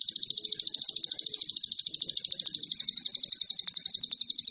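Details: Sogon cililin-style song used as a lure to excite other birds: a quick, regular trill of piercing high notes, slightly slowing toward the end, with soft low rumble behind.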